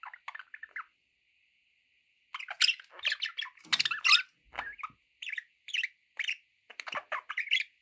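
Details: Budgies chattering with scratchy chirps and squawks over a faint steady high tone, with occasional low thumps.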